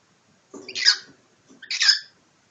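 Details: Pet cockatiel squabbling with its owner in a play fight gives two harsh, raspy screeches about a second apart in a quiet indoor room.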